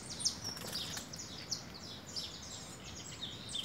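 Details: Bright, clipped chirps from a saffron finch pair in Vitória feeding on cracked corn, repeated roughly every half second, a few louder notes standing out above soft background hiss.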